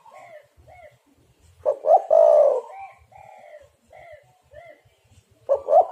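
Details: Spotted dove used as a lure to draw wild birds for trapping; a loud cooing phrase of rising-falling hoots around the middle, with fainter distant coos before and after and low background thumps.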